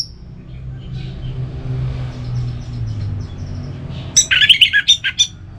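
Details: Orange-headed thrush song in a relaxed style: a long quiet lead-in with low hum, then one short, loud cluster of rapid chirps and whistles near the end.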